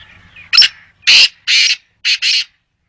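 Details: Loud, close black francolin call: a burst of five harsh, rasping notes, the first short, the middle ones longer, the last two delivered as a quick doublet, over a quiet background.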